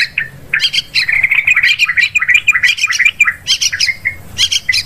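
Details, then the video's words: Hunting lure call of yellow-vented bulbul: an excited run of warbled, gurgling notes about three per second, broken into uneven phrases with brief gaps. "Suara pikat burung trucukan"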